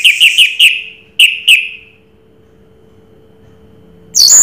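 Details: Orange-headed thrush, called Anis Merah, in Raja Teler style: six crisp, clear whistled notes, each fading downward, then quiet and a sudden loud high burst at the end, over faint hum.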